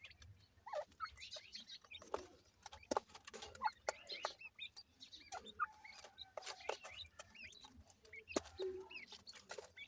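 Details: Grey francolin chicks from Punjab, Pakistan, giving short upslurred peeping calls scattered through the clip, with sharp clicks and taps and a low steady hum behind.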